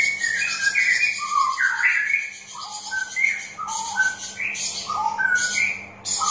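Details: Straw-headed bulbul singing as a lure to get reluctant birds singing: a run of rich, sliding whistled phrases dropping and rising in pitch, with a persistent high buzzing chatter behind them.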